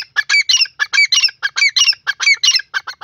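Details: Grey francolin, known locally as teetar, calling in a loud, harsh, rhythmic series of squawking notes, short grouped bursts repeated rapidly about every quarter second with no other sounds.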